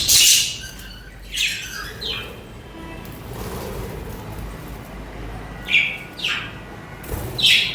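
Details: Budgies chatter in short bursts of harsh, high chirps, loud at the start, quieter in the middle, then clustered again toward the end, over a soft steady hiss.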